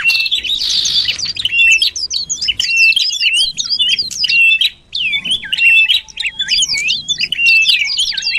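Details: Common iora lure sound for pulling birds closer: a noisy rasp, then a long, busy stream of fast, varied high chirps and hooked whistles with brief pauses.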